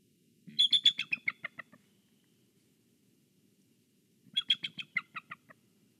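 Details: Bald eagle on guard over its egg and nest in Kisatchie National Forest, heard through a nest camera, giving two rapid chattering series of about ten high, piping notes each, dropping in pitch and fading, separated by nearly three seconds of hum.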